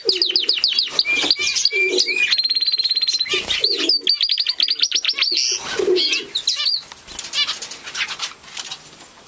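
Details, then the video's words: Gloster canary singing: quick chirped notes lead into a steady rolling trill, followed by more rapid twitters and fast rattling phrases that fade toward the end, with some rustling and lower murmuring noise beneath. "آواز خواندن قناری گلاستر"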